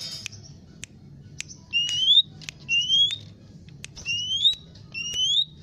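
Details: Lesser green leafbird, a kept songbird, gives a spaced series of clear rising whistles, each sweeping upward and ending high, about four over five seconds, separated by sharp clicks and quiet pauses against a faint low hum.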